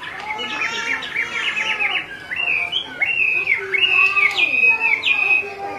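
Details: Chinese hwamei: a female calls continuously while a male is restless, giving rapid, buzzy, high chattering notes and slurred whistles repeated at an uneven pace.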